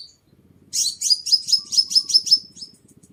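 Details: Sunbird used as a lure recording, described as clean with no background noise: one burst of about eight sharp, very high downslurred chirps in quick succession, tapering into thinner notes.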